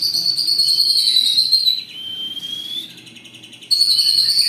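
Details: White-rumped shama from a captive-bred Jawara bloodline in Indonesia, singing long bursts said to unsettle rival birds: loud, sustained high whistles held near the top of the range, a softer dip midway, then the bright whistling resumes.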